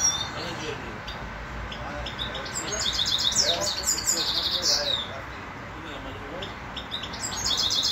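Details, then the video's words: Grey-crowned goldfinch in Khujand, Tajikistan, singing a high, rapid, twittering song in bursts with tinkling trills. Constant broad background noise and low murmuring partly mask the song. "Седоголовый щегол"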